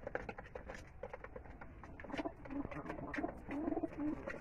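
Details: Pigeons at feeding time inside a loft in Bangladesh; low soft coos rise and fall in short phrases during the second half, over steady pecking, shuffling and wing noise in a small room.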